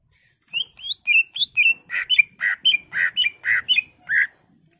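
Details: Caged greater green leafbird in agitated song, used to spur other birds: bright upward-flicking whistles give way to alternating harsh rasping notes and clear whistles, roughly a dozen phrases in quick succession.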